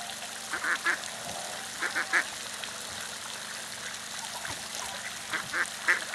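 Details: Two mallards in a park in Sint Pancras, Holland, on 24 April 2011, giving short, nasal quacks in three small bunches of two or three over a steady hum of distant traffic.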